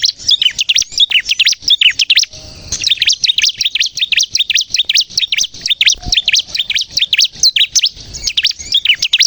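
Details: Lure recording of a bar-winged prinia (ciblek kristal) singing steadily, meant to attract birds and get others singing; fast strings of high, clipped chirps with a short pause near the two-second mark, then the chattering resumes.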